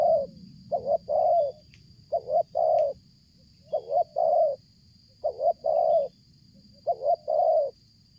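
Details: Spotted dove cooing strongly and nonstop while approaching from far during luring; five regular phrases, each a quick two-note stutter followed by a longer coo, about two seconds apart, over low rumbling noise.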